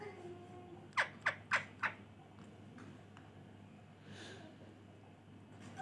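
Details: A 1.5-year-old ring-necked (rose-ringed) parakeet gives four quick, harsh, downslurred squawks about a third of a second apart, then goes quiet; a faint indoor hum continues underneath.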